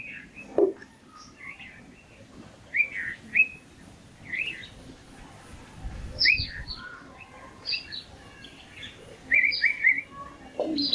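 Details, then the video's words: Morning bird song with scattered, bright chirps and short rising tweets, some in quick pairs, separated by brief gaps, over a quiet background with a low hum. "সকাল বেলার পাখি || Bird Sound In Morning"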